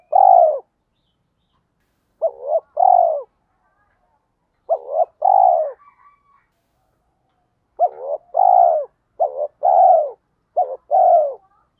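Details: Spotted dove lure voice, played to trigger wild males into cooing, delivers a quick series of double coos, each a short warbled note and a longer descending note, coming faster toward the end.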